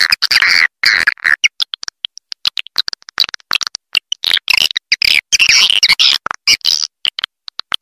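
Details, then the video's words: Lure call for attracting swiftlets: a fast, scratchy chatter of high chirps and squeaky twitters, delivered in choppy bursts at an uneven rhythm with short gaps between them. "Suara Panggil Walet Raja Liur Terbaru Call Swallow Birds"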